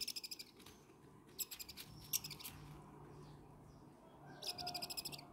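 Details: Two young owlets being hand-fed fresh chicken meat on the sixth day of feeding, 18 August 2020. They give rapid rasping bursts of short pulsed hisses, three separate runs, with soft background hum between.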